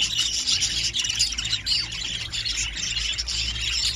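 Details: A family of show budgerigars, a female with her babies and her partner from spangle show-budgie bloodlines, chatter continuously with dense, scratchy warbles and high chirps.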